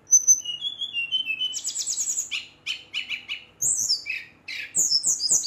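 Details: Brown-chested jungle flycatcher singing loudly and aggressively, provoking rival birds; high whistled notes sliding down, then rapid buzzy trills and repeated chattering phrases, with a man speaking softly in the background.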